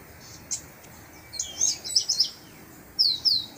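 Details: Chestnut-capped blackbird flock at dawn in São João de Bicas, Brazil: high, liquid, slurred chirps and short whistled notes tumbling together in bursts, with a quieter background hiss.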